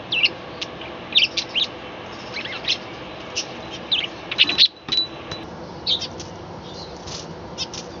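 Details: Balcony budgerigar colony chattering at morning, irregular high chirps and short squeaky notes spread throughout, some in quick bunches, against low steady background noise.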